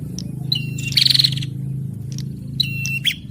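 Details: Bar-winged prinia pair, male and female, trading calls: a short falling whistle and a brief rattling trill stand out against a steady low hum.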